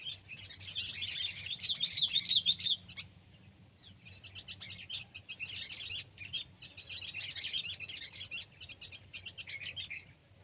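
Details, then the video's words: Sooty-headed bulbul (kutilang), pet or wild: dense, busy chirping of quick high notes in bursts, loudest in the first three seconds, then softer scattered chatter with a steady faint hum beneath. "Burung Kutilang Peliharaan VS Burung Kutilang Liar!"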